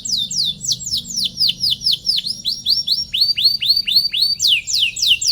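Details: Canary in long song, used to goad rival canaries into singing: regularly repeated swooping 'cuit cuit' chirps, about four per second, with a slight shift in note shape halfway.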